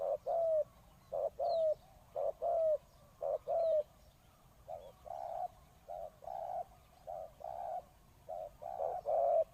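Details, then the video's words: Spotted dove used as a decoy bird to call in wild doves gives soft hollow coos in paired notes, the longer note sliding downward. The notes are crisp at first, then become fainter and more muffled, at roughly one a second. "chim cu mồi gáy gọi bổi"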